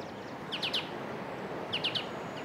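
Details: White-cheeked Honeyeater in the bush, flitting between perches while calling and searching for its mate; two quick bursts of three bright, rising chip notes over steady background hiss.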